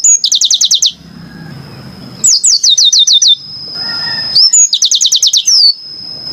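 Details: Three bursts of rapid repeated high downslurred notes from a yellow-fronted canary, each under a second, with a steady thin high tone and low rumble in the gaps.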